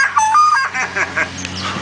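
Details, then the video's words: A bird gives a short run of electronic-sounding whistled chirps that sound like a cell phone ringing, a few notes in under two seconds, with people talking nearby. "Bird Sounds Like A Cell Phone"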